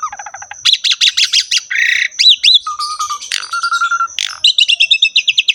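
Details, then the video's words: Asian pied starling in full vigorous song with a richly filled repertoire, mixing rapid chattering bursts, a harsh buzzy rasp, level whistled notes and quick repeated chirps, over a faint steady high tone. "KICAUAN BURUNG JALAK SUREN GACOR FULL ISIAN MEWAH"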